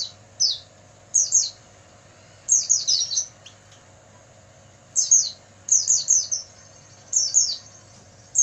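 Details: Oriental white-eye singing at night, used to train caged birds: repeated runs of three to five very high, falling twittered notes every second or two, with brief silent gaps and a constant low background hum.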